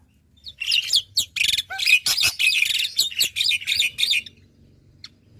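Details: Black-winged myna song meant to coax reluctant mynas into singing: about a dozen harsh, buzzy chattering phrases delivered rapidly and unevenly, each with a whistled edge, over a soft low hum.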